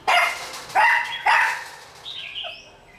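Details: A red-whiskered bulbul, wild-caught and kept caged for 12 days, sings toward a decoy bird. Three loud, strident, rich notes come in quick succession, then softer falling whistles trail off.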